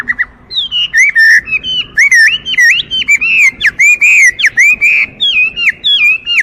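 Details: Chinese hwamei delivers a lively chain of zigzag whistled notes, each quickly bending up and down, repeated at a brisk, uneven pace with high accent notes mixed in.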